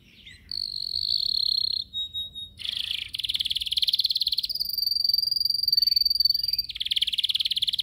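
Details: Caged yellow canary singing during training, alternating long steady whistles with dense rapid trills and rolling rattles, continuous and loud throughout.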